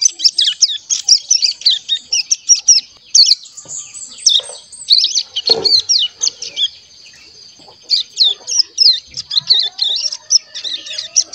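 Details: Crescent-chested warbler chick about one month old, caged and tutored with recorded birdsong, babbling as it learns to sing: rapid, dense runs of high thin chirps and short twitters in bursts, with brief pauses between phrases.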